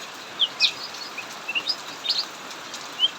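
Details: Cucak mini in an aviary, singing during heavy rain while other birds hide; isolated bright, high chirps come at irregular intervals above the steady rush of rainfall.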